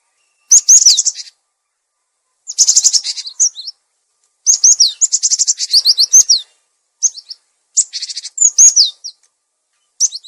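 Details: Lure call of a cinereous tit, clear-voiced and offered for training caged birds that no longer sing: dense bursts of sharp high chirps mixed with buzzy churring phrases, several phrases in quick succession with brief pauses.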